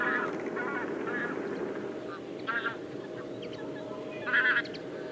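Bean Goose giving short, nasal honking calls in brief bursts every second or so, over a steady background hum.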